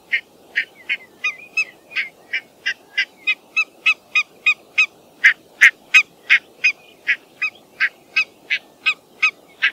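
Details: Barnacle goose barking steadily: loud, short, nasal yaps repeated about three times a second in a regular run, with a faint low background hum.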